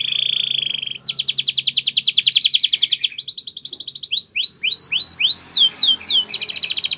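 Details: Spanish Timbrado canary training song: a steady buzzy trill, then a long rapid metallic rattle, a brief rolled phrase, a series of rising chirped notes and sweeping slurs, ending in another fast trill.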